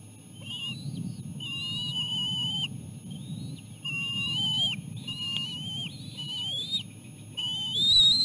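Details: Bald eagle chicks in the nest on a lean food day as their mother arrives with seal placenta for lunch; thin, high whistled notes, some slurred upward, come in runs of about a second over a steady low rumble.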